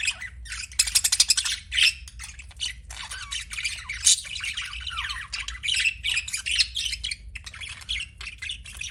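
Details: Busy budgie chatter: rapid buzzy rattles and squeaky chirps run almost without pause, some bursts harsher and louder, with a faint hum underneath.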